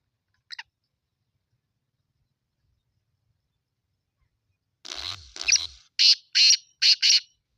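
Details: Black francolin call: a brief thin note, a long pause, then a run of six grating, buzzy bursts, the first two carrying a low thump beneath them.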